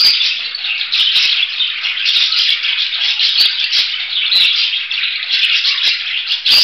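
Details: Budgerigar keeping up a rasping, twittering chatter for over six seconds, broken by frequent sharp clicks and taps.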